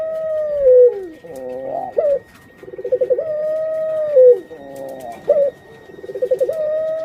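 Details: Caged breeding female puter pelung dove before laying, cycling through rolled stuttering notes and long sliding coos about every three seconds, with a faint constant whine in the background.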